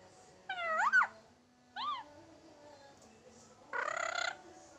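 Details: Tame pet Indian ringneck parrot imitating a cat's meow: a nasal rising-falling meow-like squeal, a shorter bent note, then after a pause a harsher buzzy drawn-out cry, in a quiet room.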